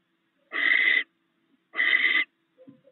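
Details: At a nest where a barn owl pair share rats the male delivered overnight, two rasping, breathy screeches of about half a second each sound over a second apart. A faint low scuff follows.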